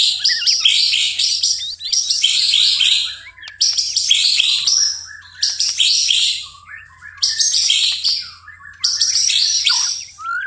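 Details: White-rumped shama (murai batu) singing energetically at night: bursts of dense, very high twittering and chattering notes, each about one to two seconds long, separated by short gaps.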